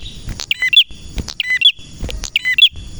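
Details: Male red prinia (prenjak merah) in lively, persistent song, meant as a tutor recording for other prinias: sharp doubled high chirps with a short downward twist, repeated roughly once a second against a steady thin ringing tone and faint low rumble.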